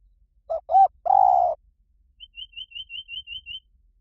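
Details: Spotted dove singing the 'Liw Tan' style, played so trained doves will answer: two brief coos and a drawn-out steady coo, then a high, thin chirp repeated about eight times in quick succession.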